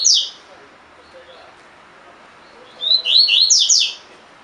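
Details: Tui tui fibra style song from a double-collared seedeater kept in a cage, for bird training: the end of one phrase, a quiet gap with faint low sounds, then a full run of high falling whistles.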